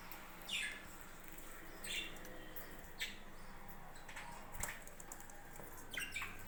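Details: Budgie farm birds giving short sharp chirps about every one to two seconds, five calls in all, over a steady low hum with a faint click midway.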